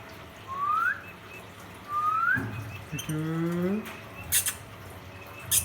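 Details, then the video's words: A female rose-ringed (ringneck) parakeet gives two clear upslurred whistles, then a lower nasal rising call, followed by a few sharp clicks and taps, calling to another parrot in his own voice. "Ringneck parrot chirping sound"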